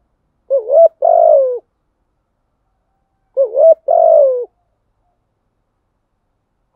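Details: Wild-type spotted dove song used as a lure for wild doves, with calling, urging and cooing styles: two phrases about three seconds apart, each a quick wavering double note followed by a long, slightly descending hollow coo.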